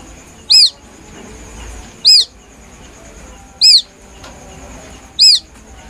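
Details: White-breasted waterhen chick, described as a genuine plaintive call used as a hunting lure: short, high, arched peeps that rise then fall, about every 1.5 seconds, four in all, over a faint steady high whine and low background rumble.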